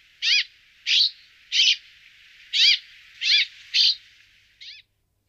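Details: Brambling, a forest finch, giving seven clear, loud, high calls, each a short arched note with stacked bands, repeated about every half to two-thirds of a second. The background is quiet, with no other sounds.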